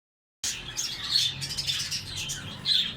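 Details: Australian parrots chattering steadily after a short silence, a dense flow of high warbling chirps and squeaky notes with louder bursts near the start and end.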